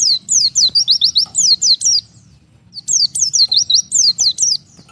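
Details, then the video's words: Lone oriental white-eye cut off from the flock calls to its companions with sharp high descending whistled notes, two bursts of about eight notes each separated by a pause of roughly a second. "BURUNG PLECI MEMANGGIL LAWAN TERPISAH DARI KOLONI"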